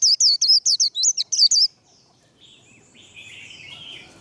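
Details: Warbling white-eye in the 'líu' fighting-song style used in training. A quick burst of about ten piercing looped whistles lasts under two seconds, then faint distant chirps and a low background hum.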